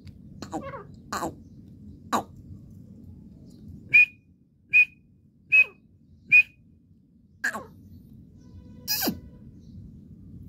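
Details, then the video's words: Calling partridge: four evenly spaced sharp high notes in the middle, framed by scattered clicks and taps against a faint low background hum. "teetar calling sound / तितर की आवाज. partridge voice"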